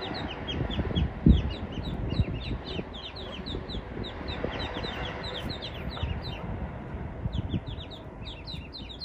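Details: Eastern spot-billed duck mother with ducklings that wandered into a spot with no pond, river or water nearby; many thin, high, downslurred peeps from several ducklings overlap steadily over a low rumbling background.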